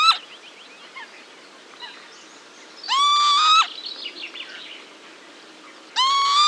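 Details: Pair of Northern lapwings alarm calling to their young. Three loud, nasal, slightly rising harsh notes come about every three seconds, with soft high chirps and twitters from other birds between them.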